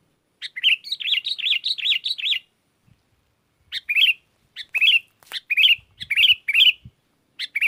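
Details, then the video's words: Sooty-headed bulbul singing gacor, calling wild bulbuls that reply; a fast run of about eight rolling chirps, a pause, then short bubbly phrases repeated roughly every half second, with faint low knocks. "Suara Burung kutilang gacor memanggil kutilang liar"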